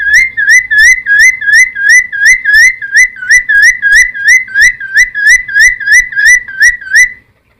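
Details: Cucak timor song used as a lure and training master for wild-caught birds: a loud, steady run of about sixteen identical whistled, rising-falling notes, roughly two per second, with faint low background rumble.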